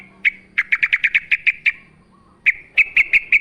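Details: Yellow-vented bulbul singing vigorously in wild style, recorded with natural ambience as a lure: a series of bright clipped notes repeated rapidly, a short pause, then another quick run of sharp notes.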